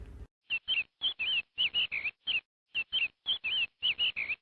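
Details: Chick giving repeated high cheeps, a steady run of quick single and doubled peeps after a brief low sound at the start.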